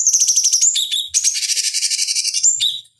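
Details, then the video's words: Cucak cungkok bulbul singing for a fighting-bird training master: a continuous high buzzing trill with a rising whistle, dropping notes, and a long rapid rattling run that ends abruptly. "Masteran Pancingan Cucak Cungkok Ampuh Untuk Terapi Dan Masteran Burung Petarung"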